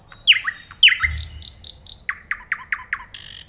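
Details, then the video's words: Nightingale delivers two loud, swooping downward notes, then a row of buzzy high notes and a series of short falling notes spaced evenly. The phrase ends in a harsh rasp. "صوت العندليب"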